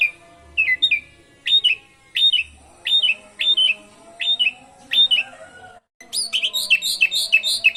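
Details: Asian pied starling singing a lively song with canary imitations, used as a lure to spur other birds to sing: repeated loud whistled downslurred notes, then a fast run of bright high trilled chirps.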